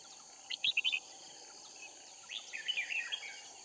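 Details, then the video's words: Decoy red-whiskered bulbul from Cao Phong at a trapping site in Kim Bôi, Hòa Bình, Vietnam, just after rain when the bird sings less intensely; a quick cluster of loud whistled notes, then a softer warbling phrase, with insect hiss. "Bẫy chào mào Kim bôi - Hòa bình mồi cao phong ra trận"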